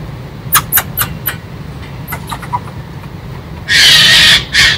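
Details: Eurasian jay, a daily visitor to a feeder, scolding a squirrel on 16 November: a series of short rasping notes, then two loud, harsh, drawn-out screeches, over a low background rumble.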